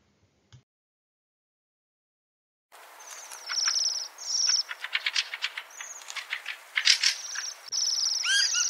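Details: Fieldfare, a sociable thrush of Central Europe living in small colonies: a strange, fast, jumbled song of scratchy chattering and clattering notes with thin high squeaky whistles, starting after nearly three seconds of silence.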